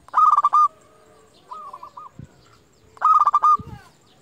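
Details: Local zebra dove, a lure bird said to be best at calling rivals, and used to stir up rival doves and rouse breeding drive: loud rapid rolling cooing phrases around two bursts, each a trill of pulsed notes then a sustained coo, with soft deeper coos between.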